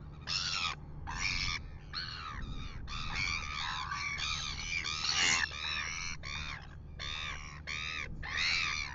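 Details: Red-billed gulls pestering a royal albatross at a nest near Dunedin, New Zealand, at 6:27 AM: harsh, grating squawks in quick overlapping bursts, several birds at once, over steady low wind rumble.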